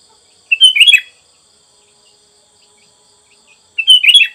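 Two short, bubbly, chattering song phrases from a sooty-headed bulbul, about three seconds apart, with a faint high, steady hiss in the background.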